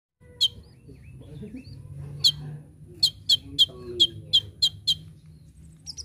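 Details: Brown-throated sunbird, a master recording for training birds in full 'tembakan' style: sharp, high chip notes, first scattered and then repeated about three times a second, over a low rumbling background.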